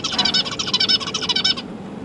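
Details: Newly hatched and juvenile zebra finches fed by their parents, December 2022: a fast burst of harsh, buzzy repeated notes lasting about one and a half seconds, then abrupt quiet with a faint hum.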